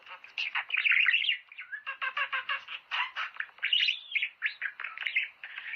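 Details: Lively budgerigar chatter aimed at encouraging pairs to mate, a steady stream of quick chirps and ticks with occasional rising whistles, sustained throughout.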